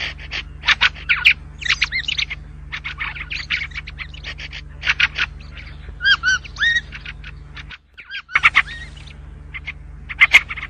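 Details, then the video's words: White-spectacled bulbul, also named Syrian or yellow-vented bulbul: varied song mixing rapid chirps, warbled phrases and ringing, slurred whistles in pairs midway, a short silence, then more sharp notes over a low hum. "تغريد البلبل السوري/بلبل أبيض النظارات/بلبل أصفر العجز"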